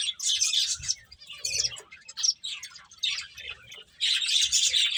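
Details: Finches at their food give clustered bursts of high chirps separated by short pauses, building to a thick twittering chorus in the final second.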